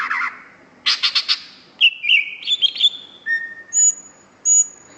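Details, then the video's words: Greater green leafbird in lively song, opening with a buzzy rattling burst, followed by sliding whistles and warbled notes, ending with thin, very high drawn-out whistles; no other clear sounds. "BURUNG CUCAK IJO FULL GACOR"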